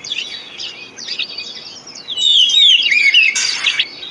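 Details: Oriental magpie-robin lure song to prompt silent birds into song. Soft, scratchy chirps at first, then a loud, clear descending whistle followed by a sharp burst of notes.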